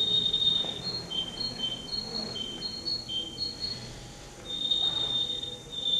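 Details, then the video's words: Competition male canary number 10, recorded in Rostov-on-Don on 22 January 2011, sings quick, pulsing whistled notes that alternate between two close pitches before a longer steady tone. Quiet room noise runs beneath. "Конкурс канареек, Ростов-на-Дону, кенар №10"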